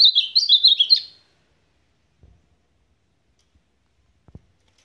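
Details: Azulão, the ultramarine grosbeak, gives one rapid supapo-style song phrase of tumbling, high warbled notes, followed by quiet with a few faint low knocks.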